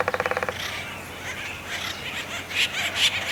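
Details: Acorn woodpeckers cause a commotion between three trees in mating season at Effie Yeaw Nature Center in 2025. A quick, buzzy rattle of about eight notes in half a second is followed by harsh, scratchy squawks rising in bursts.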